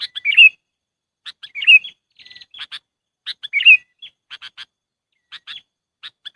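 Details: Sooty-headed bulbul lure sound for trapping: a few bubbly chortled phrases mixed with thin high chips, a short rapid trill and scattered clicking notes.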